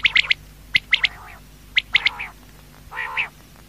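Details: Quail at night: quick high triple notes alternating with lower, drawn-out buzzy rasps, a few phrases packed closely together.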